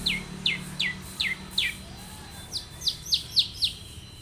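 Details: Long-tailed shrike in vigorous song, used as a lure to make other shrikes sing, repeating a sharp downslurred note about every third of a second, around a dozen times, with faint low background hum.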